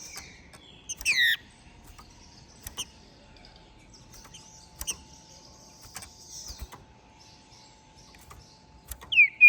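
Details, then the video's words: Ringed green-winged saltator from Minas Gerais, captive-bred, singing after moult: a loud descending whistled phrase near the start, a rising whistled note at the end, and scattered clicks and soft chirps in between. "Esse TRINCA FERRO é o MELHOR para ABRIR o CANTO! pois Canta e MACHEIA MUITO!"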